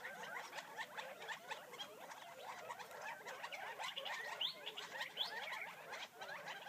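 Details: Wild Gambel's quail foraging outside Florence, Arizona: continuous soft clucking and twittering from many birds, with two brief higher squeaks standing out midway.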